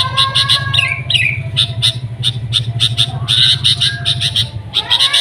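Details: Sooty-headed bulbul (kutilang) calling in rapid bright chirps and a few falling whistled slurs, over a constant low engine-like rumble.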